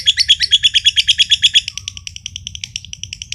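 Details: Green standard-colour lovebird from Mojokerto, a kept contest bird, performs a long ngekek trill that sets other birds trilling: evenly spaced high piping pulses, then a softer, quicker stream of notes continuing to the end.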